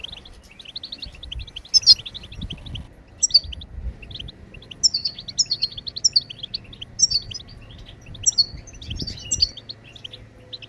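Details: A goldfinch (maqnin) sings a fast, high-pitched stream of liquid twitters with sharp, bright accents every second or so. Low rumbling background noise is present.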